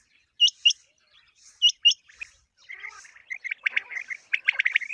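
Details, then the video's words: Common quail calling for quail hunting: two clean pairs of sharp upward-flicking notes, then a denser run of rapid chirps and twittering that builds toward the end. "Batair ki awaz | common quail calling"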